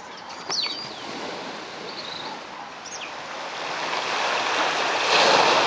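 A few short, sharp, down-slurred notes from a Royal tern come over steady crashing surf, which swells louder toward the end.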